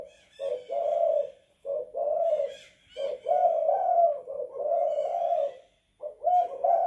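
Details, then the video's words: Spotted dove (tekukur) in a house, 'kuk 2 / guk 1' cooing: a steady run of low, rough, rolling coos with a faint higher harmonic edge, almost continuous with brief breaks. "Tekukur kuk 2 / guk 1 in the house"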